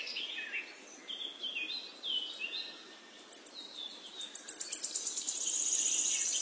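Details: Two woodpecker chicks in a tree-hole nest in Bangladesh, waiting for their parent to bring food. High, squeaky chirps slur up and down in quick, irregular bursts. A steady, high insect-like buzz builds toward the end.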